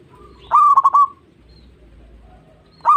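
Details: Zebra dove song used as a lure to get other zebra doves singing: one clear phrase of about four quick, throbbing cooing notes on a steady mid pitch, then a second phrase starting at the very end.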